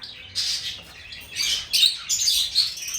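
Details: Lovebird chattering: several bursts of shrill, raspy high-pitched chirps, growing louder and denser in the second half.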